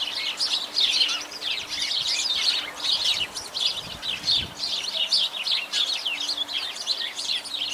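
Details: Dense sparrow chatter, loud overlapping sharp chirps packed together continuously, with a few soft low thumps midway and a faint steady hum.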